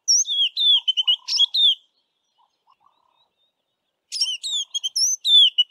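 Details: Highly repetitive song of a white-browed scrub robin west of Grahamstown: two bright phrases of slurred whistles and quick chirps, separated by about two seconds of near silence, with a faint low note under the first.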